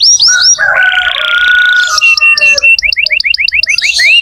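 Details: Energetic canary singing as tutor material for magpie-robins ('nembak' style): three quick upslurred whistles, a long level whistled note under a buzzy trill, then a rapid run of clipped repeated chirps ending in an upward sweep.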